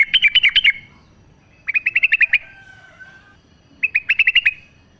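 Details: Wild yellow-vented bulbul singing energetically outdoors, a recording meant to spur captive birds into song: three quick runs of bright, chattering notes, each followed by a brief pause, with a soft drawn-out whistle between the second and third.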